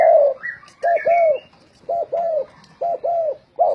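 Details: ['Spotted dove, a decoy bird in a singing contest, giving low arched cooing notes in short runs of two or three with pauses between them. Brief higher chirps and whistles from other birds sound early on.']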